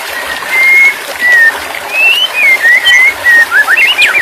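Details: White-rumped shama song, used as therapy audio for a stressed shama that has gone quiet: spaced, pure, level whistles, then quick rising and falling slurred phrases toward the end.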